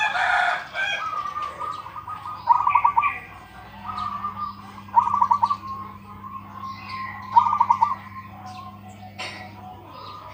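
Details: Local zebra dove, noted for its big voice, giving repeated short stuttering coo phrases roughly every two to three seconds, with chirps of other birds and a low electrical hum behind.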